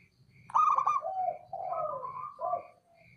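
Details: A male zebra dove, the local perkutut, gives its call. A bright trilled opening note is followed by lower, sliding, mellow coos that fall in pitch. Faint, steady, high pips repeat in the background.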